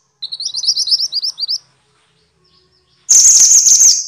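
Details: Minivet, known in Javanese as mantenan and in Indonesian as sepah, genus Pericrocotus, used as training audio for songbirds: a rapid run of about a dozen thin, high chirped notes, a short pause, then a loud harsh hissing burst.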